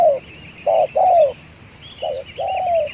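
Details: Spotted dove, 'celir racik' type, suited as a lure bird, repeating a short coo then a drawn-out descending coo. Distant chirping birds and a constant high-pitched electronic whine sit under the calls.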